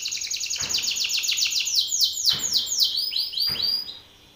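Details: Belgian canary male in full song facing an opponent male: a fast roll of bright downward-sliding notes that slows into broader, louder arcing sweeps, ending in softer high chirps before fading out.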